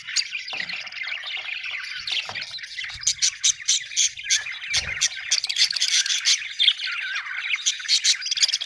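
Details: Happy budgerigars chirping: a dense flock chatter of warbling, squawky notes with sharp clicks and short bright bursts, continuous throughout.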